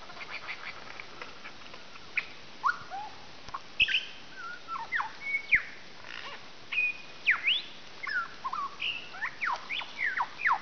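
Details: Lyrebird near Melbourne, Australia, running through a varied mimicked repertoire: quick whistled upslurs and downslurs, short clicks and sharp chips in irregular bursts across ten seconds, little background noise.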